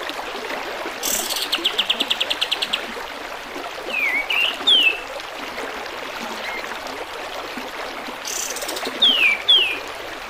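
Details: Recording of a sooty-headed bulbul with gurgling water, used to teach songbirds: a short rattling series, then a pair of quick downslurred whistles, a pause, and another pair of descending whistles, all over constant water noise.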